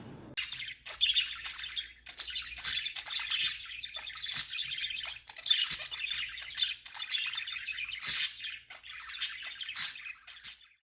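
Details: Three playful pet budgies interacting with their owner, pouring out a near-continuous, scratchy warbling chatter with brighter squeaky peaks every second or two, steady and lively throughout.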